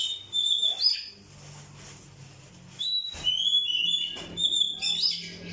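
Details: Oriental magpie-robin song used as a lure to provoke other birds: clear, high whistled notes in short phrases, some sliding, with a gap of quieter sound before a livelier second burst of varied whistles.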